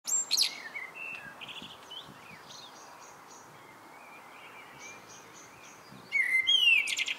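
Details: Common blackbird singing in the evening: a squeaky high twitter opens, a long near-silent stretch follows, then a clear rising-and-falling whistled phrase with shrill trailing notes near the end.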